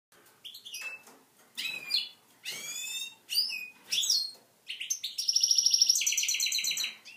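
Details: A male goldfinch-canary mule sings to canary hens to catch their attention: a rapid, high medley of twittering phrases and buzzy notes, ending in a fast trilled roll, in an indoor setting.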